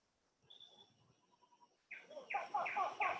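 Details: Wreathed hornbill recording played during a talk on hornbill research and conservation in Kinabatangan, Borneo: faint tonal notes, then loud harsh barking bursts with harmonics repeated about every third of a second.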